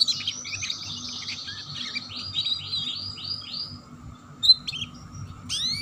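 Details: Canary chirping in the rapid 'ngeriwik' style, used as a lure to get young canaries singing quickly; fast high twittering trills and descending chirps run continuously, ending with a few sharp upswept notes, over a faint low hum.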